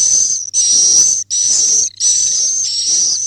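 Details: Roosting calls of a swiftlet, a run of drawn-out, high, hissy buzzes carrying a steady whistled line, separated by brief silences, with a low constant hum underneath.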